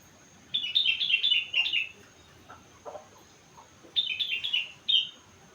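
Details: Sooty-headed bulbul, four months old, singing rengganis imitation phrases: two fast bursts of high descending chirps separated by soft clicks and quiet pauses.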